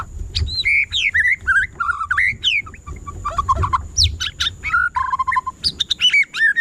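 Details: White-rumped shama pouring out a continuous, varied song of loud slurred whistles, quick rising and falling notes, and buzzy trills with hardly a pause. A constant thin high tone runs underneath.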